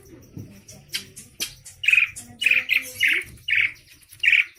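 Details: Javan form of the Asian pied starling, described as very fussy and chattering: loud, harsh, squawky calls given in spaced bursts about once a second, with a few softer chirps earlier and faint low background noise.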